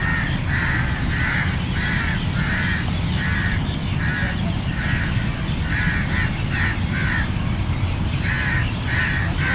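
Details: Crows in a flock call continuously, with overlapping harsh caws that come in quick, uneven runs. A loud, steady low-pitched rumble runs underneath throughout.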